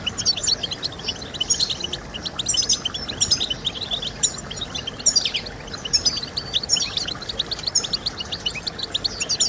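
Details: European goldfinch in song, meant to motivate goldfinches to sing: a continuous rush of very high, thin chirps and twangy trills in quick bursts, bright and busy throughout, over soft hiss.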